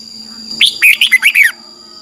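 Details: Red-whiskered bulbul morning song for training a wild-caught bird: one brief, lively phrase under a second long, made of bright, clear notes that rise and fall, with a steady high tone in the background.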